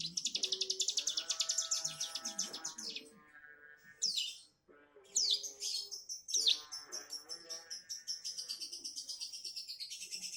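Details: Juvenile bar-winged prinia rehearsing the 'bren' song, opening with a fast, evenly pulsed high trill, breaking into sharp sweeping chirps, then returning to a rapid rattling trill, over faint lower tonal notes.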